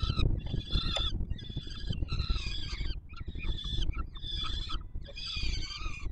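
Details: Begging chicks of peregrine falcon being fed by the male, Palace of Culture and Science nest, Warsaw, Poland, July 7 2022. Rasping, strongly harmonic wails come in about six separate bursts, each under a second, with deep rumble beneath.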